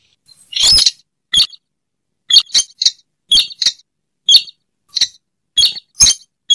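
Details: Slaty-breasted rail call used to lure the bird: sharp, clipped high notes given singly and in quick pairs at irregular intervals of about half a second to a second, with silent gaps between.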